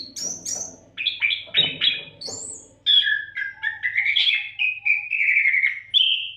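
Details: Nonstop kacer song, an Oriental magpie-robin recorded as a tutor for songbirds: very high scratchy notes, then a chain of rich slurred whistles wavering around mid pitch, with low background hum.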